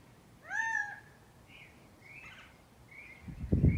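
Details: Gambel's quail in Scottsdale, Arizona giving one loud, arched, whining call, followed by faint distant bird notes and a low rumbling thump at the end.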